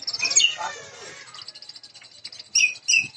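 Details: Champion Jambu bird native to West Nusa Tenggara gives a burst of high twittering notes, then a lull and two sharp clipped chirps near the end over a thin continuous high hum.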